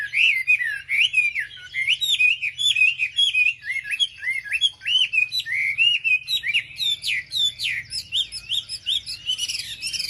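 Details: Wambi bird singing a lure recording aimed at provoking rival wambi. Rapid, varied whistles with hooked upward and downward slurs pour out in a long unbroken stream of short bursts.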